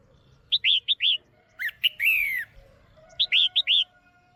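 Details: Female red-whiskered bulbul, caged, calling to stimulate a male or for pairing: four bright chirps, a sharp upslurred note and a descending warbled phrase, then another set of four chirps.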